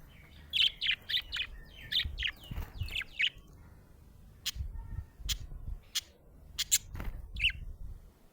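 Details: Happy budgie chirping: a quick run of high, bright chirps for the first few seconds, followed by sharp clicks and a couple of isolated chirps.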